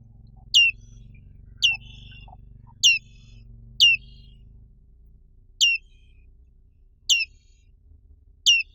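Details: Black-capped white-eye, a bird found only in Indonesia, giving high, sharply descending single notes, one roughly every second with irregular gaps, clean and isolated over faint low background hum.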